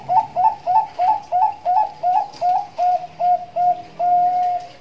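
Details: Zebra dove, a Bangkok-type caged bird, in the Indonesian nduduk ngitit song style used as a lure and training tutor: a rapid series of about twelve short coos, each rising then flattening, ending in a longer level note.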